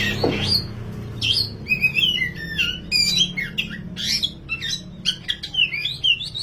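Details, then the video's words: Oriental magpie-robin, dahit or wulung variety, in a 'gacor ngobra' tutor recording. A harsh opening note gives way to rich, rapidly changing whistles, trills and chattering bursts in quick phrases. A low background hum runs throughout. "MASTERAN BURUNG KACER DAHIT/WULUNG GACOR NGOBRA"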